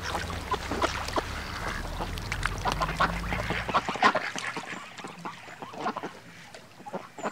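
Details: Ducks with ducklings: a run of short, rough quacks, some overlapping, over a steady low rumble that stops partway through, after which the quacks continue more sparsely against a quieter background.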